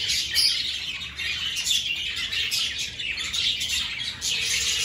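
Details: Budgerigar flock chattering in an aviary as breeding season begins and parents pick clay nest pots; steady mass of high, twittering chirps and warbles, a few sharper squeaks standing out.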